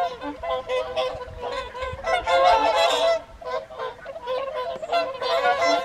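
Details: Whooper swan flock at the evening feed, Folly Pond, Caerlaverock, January 2023, seen from the farmhouse above: overlapping honks swell to a loud peak midway, ease off, then build again.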